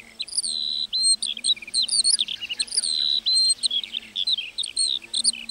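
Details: Singing lark over a meadow, pouring out high warbled whistles, sustained level notes and quick chirps in a long, restless outpouring.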